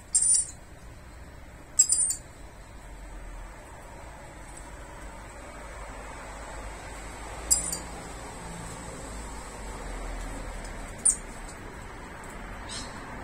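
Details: Rainbow lorikeets (Trichoglossus haematodus), three together at camellia flowers they seem to claim as their territory, give brief, shrill, high-pitched screeches, single or in quick pairs, spaced several seconds apart over a steady low hiss; finding: Coconut lorikeet.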